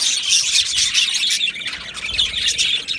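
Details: A budgie colony in an aviary chatters nonstop, the many birds layering high, rapid chirps and squeaky warbles into a thick, unbroken wall of sound.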